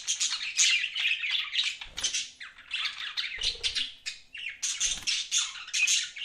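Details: Pet budgerigars chirping: dense, scratchy warbling with buzzy chatter and short squawks, nearly continuous, pausing briefly, with a few faint low knocks in the background.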